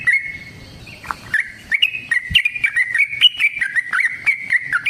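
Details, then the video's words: Yellow-vented bulbul giving a long fighting song to coax other bulbuls into song: a slurred opening whistle, then a rapid, bubbling series of warbled notes bouncing between pitches, accompanied by a sharp thump. "TRUCUKAN GACOR TARUNG ROPEL PANJANG"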